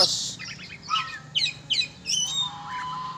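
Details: Oriental magpie-robin flown free for sport, giving a quick run of high, twisting chirped phrases, then a thin sustained whistle over a faint low hum.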